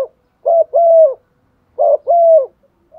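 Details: Decoy spotted dove cooing in a set pattern meant to stir other doves into calling; two phrases of a brief broken note and a drawn-out steady coo, spaced over a second apart, no other sounds.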